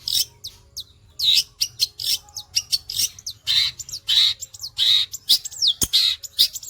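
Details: Long-tailed shrike kept in a cage singing steadily: rapid, grating rasps alternate with sharp downslurred whistles, roughly eighty notes a minute in an uneven, machine-like chatter.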